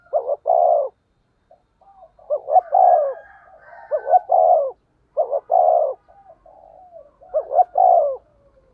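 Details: Spotted dove used as a decoy, with a 'thổ' voice and 'thúc gù' calling: deep, rounded double coos in clustered phrases, separated by quiet purring notes and brief pauses, in clean, quiet surroundings.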